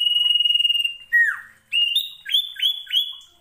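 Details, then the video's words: Common iora song for coaxing quiet ioras to sing: a long high whistle with a fast trilled pulse, a falling slurred note, then three bright upswept whistles ending in level tones. "SIRTU CIPO GACOR,SANGAT AMPUH UNTUK MELATIH MENTAL MEMANCING SIRTU LAIN YANG MALAS BUNYI"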